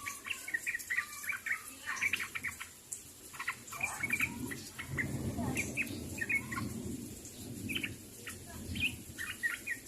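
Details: Sooty-headed bulbul calling to other birds, giving scattered sharp chirps and bubbly phrases, with a patch of low rumbling noise midway.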